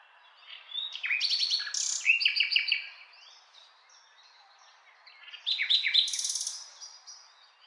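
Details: Nightingale song with rapid repeated notes, rich whistled slurs and buzzy high trills in two loud phrases split by a short quiet gap.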